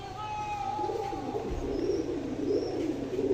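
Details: Pigeons of the giribaz breed from Rajshahi, Bangladesh, cooing low and rolling indoors, with soft repeated murmuring phrases and a steady background hum plus a thin high whine.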